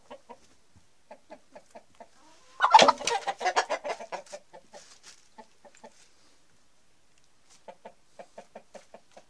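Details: Chickens on a farm, Denizli rooster and hens during mating: a loud burst of harsh squawking and flapping in the middle, framed by soft, evenly spaced clucks repeating about twice a second before and after.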